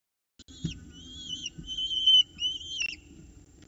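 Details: Peregrine falcon chicks in a nest box at Orange, morning of 29 October 2018 around 9:36, during the first feed as the adults bring prey and the female feeds the young: thin whistled calls with wavering, slurred notes, repeated several times.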